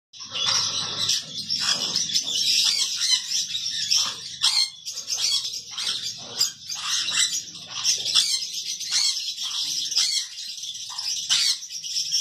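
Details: Conure chicks calling continuously: a dense, high-pitched chorus of raspy, hissing peeps and chirps that runs unbroken for twelve seconds, with some lower rustling beneath.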